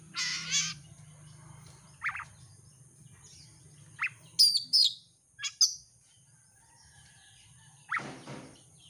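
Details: Oriental magpie-robin used as a lure bird to prompt singing: isolated sharp whistled notes and brief chattering phrases spaced over several seconds, over a steady low hum.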